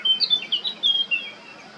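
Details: Brief burst of song from a male Eurasian blackcap at Baška on Krk, Croatia, in July 2022: several loud, clear whistled notes in rapid sequence, fading into quiet at the close.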